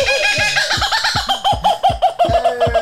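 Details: A captive Laughing Kookaburra, prompted when a person makes the noise at a live event, gives a rapid, rolling chuckle of hooked, throaty notes, about five per second, rising and falling in a raucous cackle; a territorial call that also attracts mates.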